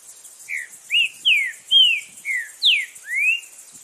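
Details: Green-winged saltator singing loudly in the wild in Brazil: a phrase of seven clear whistled notes, each slurred and mostly falling, spaced about half a second apart, with steady insect buzz high above.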